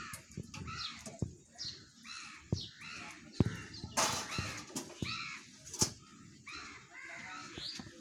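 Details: Alexandrine parakeets, called Indian or Alexander parrots: harsh, rasping squawks repeated many times, each a short downward-bending burst, with several birds calling and overlapping, plus occasional sharp clicks and knocks in the background.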